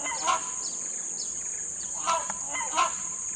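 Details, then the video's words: Wild rhinoceros hornbill in Kalimantan, giving three loud nasal honking calls, the last two close together, over a steady high insect drone and faint chirping. "SUARA ASLI BURUNG RANGKONG BADAK / TINGANG/ ENGGANG CULA DI ALAM LIAR"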